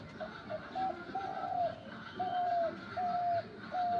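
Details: A Dabal bird, placed in a tree a week before and recorded on New Year's Day 2025, gives drawn-out, level whistled notes that droop at the end. Five or six come at roughly half-second gaps under low background noise.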